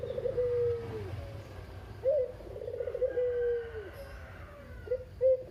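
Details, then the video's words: Barbary dove, a local puter of the kugeru style, the one survivor of a kept pair and described as very talkative, used as a lure for other doves. Short high note, purring trill and long falling note, then clipped coo starts. "Burung Puter Lokal (kugeru) gacor abis // Pancingan burung puter lain biar bunyi"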